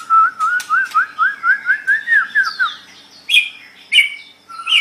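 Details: White-rumped shama song meant for tutoring other birds; a fast series of about fourteen rhythmic upslurred whistled notes, followed by a few separate sharp chirps.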